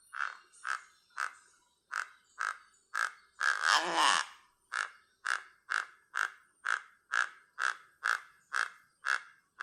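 Horned Guan alarm: harsh, nasal mid-pitched notes repeated steadily about twice a second, broken once by a louder rasping burst.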